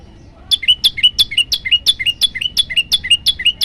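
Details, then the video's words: Yellow-bellied prinia singing in a master recording meant to agitate other birds: a fast, steady series of sharp, high, two-part chirps, each a downward flick then a rising note, repeated about three times a second. "masteran burung prenjak lumut bikin emosi burung yang dengar"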